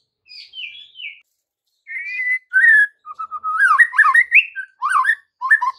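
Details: Afternoon lure song of a white-rumped shama meant to make young birds and adults sing back: soft whistled opening notes, then louder rich whistles and rapid varied phrases in quick bursts.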